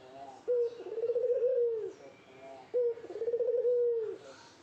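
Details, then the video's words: Courting spotted dove directing its call at a female: two steady, vibrating coo phrases, each begun by a short clipped note and running about a second and a half, with quiet gaps between. "Burung Puter Gacor merayu betina"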